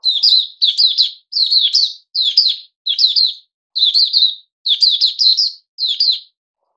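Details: Puteh Raja bulbul fed fruit juice, one mealworm and a health booster drink, dated 08-05-2021, sings a steady run of about ten clipped, bright warbled phrases, each under half a second with tiny gaps.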